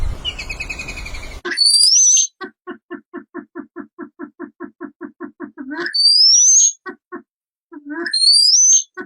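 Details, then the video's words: Wild birds singing: loud, high whistles sweeping upward, alternating with long runs of short, evenly spaced lower notes, opening with a few falling harmonic notes. "Natural Beautiful Real Sounds of Birds"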